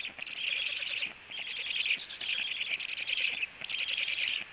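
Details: Black stork nest scene at 18:16, the male returning home to feed, then moving to an upper branch; long hoarse wheezing bursts, roughly one second each, following one another with brief pauses.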